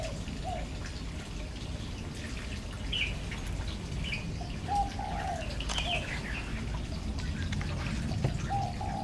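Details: A male Oriental magpie-robin on Lamma Island, Hong Kong, on 5 November 2015, sings sparse, varied whistled phrases, some low and sliding, others higher and sweeter, over a steady low rumble.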